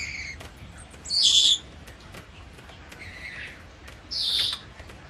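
An African grey parrot gives two loud, harsh, high-pitched squawks about three seconds apart, with fainter chirps between them in a quiet room.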